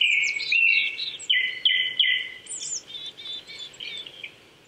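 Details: Japanese thrush singing at 800 m elevation in the Saitama Prefectural Forest, Chichibu, Japan, on an April morning: a string of quick warbled whistles fading away, with high thin notes above.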